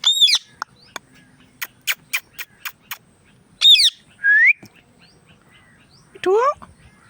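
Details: An Indian ringneck parrot calling with harsh harmonic squawks and a rising whistle, mixed with a quick series of clicks and a final descending screech.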